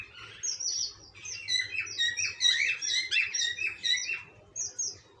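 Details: Cockatiels chirping in a lively jumble of short, high, bending notes with a ringing quality, bursts coming roughly every half second, with a faint low hum underneath.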